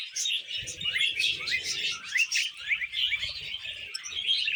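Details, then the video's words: Happy budgies eating veg: a flock chatters continuously in overlapping bright chirps, squeaks and short upward-sliding whistles, over faint low rustling. "Happy Budgies Eating Veg"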